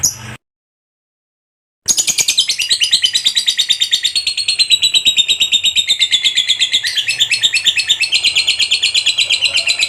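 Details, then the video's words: Fighter lovebird bred for singing contests, delivering a long ngekek chattering song. A short noise and silence precede an unbroken stream of rapid, shrill, buzzy chatter lasting about eight seconds, with steady pulses near three per second. "SUARA BURUNG LOVEBIRD FIGHTER GACOR NGEKEK PANJANG"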